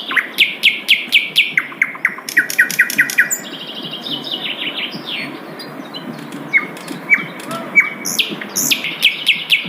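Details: Asian brown flycatcher in the wild, melodious song: fast repeated bright chip notes at first, then a quieter stretch of faint twitters, and scattered sharp chirps returning near the end, with steady outdoor background noise.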